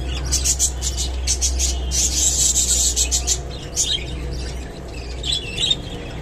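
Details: A Japanese budgerigar, eating water spinach, chatters in quick, scratchy high chirps, several bursts a second with brief pauses, over a steady low hum.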